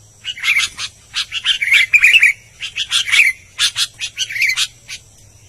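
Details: Albino sooty-headed bulbul singing actively: a lively run of sharp, chirpy, buzzy note bursts, about ten short phrases packed into five seconds with brief gaps, over a faint steady low hum.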